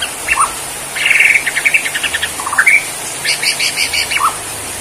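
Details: Bornean white-rumped shama singing in its bowing 'sujud' style. A short whistle opens, then a fast chattering burst of repeated notes, a rising slur, and a second rattling series of high notes.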